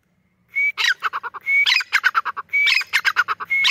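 A female grey francolin gives loud, ringing phrases about once a second. Each starts with a thin rising whistle and runs into a quick series of harsh, clipped notes.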